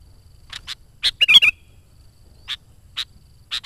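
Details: Kutilang, the sooty-headed bulbul, singing energetically as a lure for wild birds: a few high, clipped notes lead into a brief, rolling, bubbly warble, then more spaced chips follow; no other sounds.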